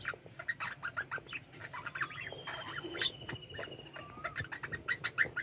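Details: Budgerigar colony kept in an aviary, a busy chorus of short sharp chirps and rasping squawks repeating in rapid bursts, with a long level whistled note heard midway.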